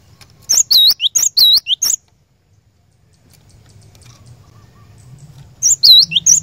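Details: Cinereous tit lure song, played to set a caged bird singing: a burst of bright, swooping two-note whistled phrases repeated fast for about two seconds, a pause with low background hum, then the phrases resume.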